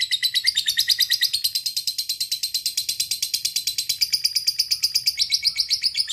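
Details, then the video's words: Long ngekek trill of a fighter lovebird calling out to a rival, a continuous rattling stream of sharp, scratchy notes, rapid and unbroken for over six seconds, with a slight shift in tone near the end. "LB FIGHTER NGEKEK PANJANG masteran lovebird ngetik ngekek panjang"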